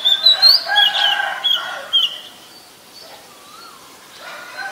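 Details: Oriental magpie-robin, known locally as kacer, singing in the wild: a burst of bright whistled phrases with short rising and falling notes over the first two seconds, then a quieter stretch with a faint sliding whistle and soft outdoor background.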